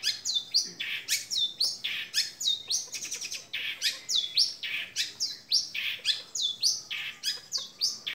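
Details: A young long-tailed shrike from Madura pours out a fast, dense, varied song of high chirps, scratchy notes and quick rattling bursts, with barely a pause.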